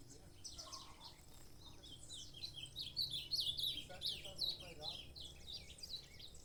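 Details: Sharp, high-pitched chirps and quick trilled phrases from a saffron finch (canário-da-terra), loudest mid-clip and repeated rapidly, over faint low background noise.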